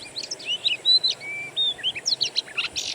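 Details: Oriental magpie-robin lure song from a natural-bird master recording: a few long, clear level whistles among short chirps, ending in a run of quick sharp notes and a harsh burst.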